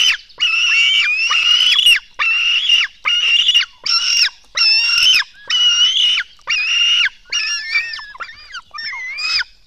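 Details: At a Latvian black stork nest during a 04:53 feeding on 24 June 2016, nestlings give loud, buzzy squeals in regular bursts about once a second, ending in thinner, curving whistled notes.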